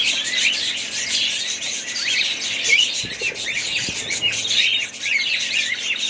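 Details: Pet budgies keep up lively chirping and warbled twitters from many birds, with a couple of faint low knocks partway through.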